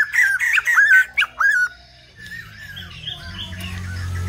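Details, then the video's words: White-crested laughingthrush in full song: a quick string of loud, bright arched notes with a couple of sharp upslurs lasting under two seconds, then fading to quiet murmur and a low background rumble. "Chim Bạch Đầu Ông / Hót Đỉnh Cao"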